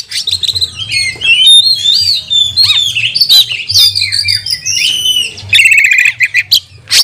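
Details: Oriental magpie-robin in full, aggressive song meant to rouse other magpie-robins during training: a dense, continuous run of varied whistles, slurred sweeps and chattering trills, with a rapid rattling burst near the end over a faint low hum.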